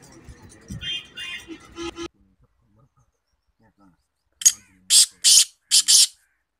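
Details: A black francolin (kala teetar), apparently kept in a cage, calls rapidly, giving five loud, harsh, grating notes in a quick burst, preceded by a man talking.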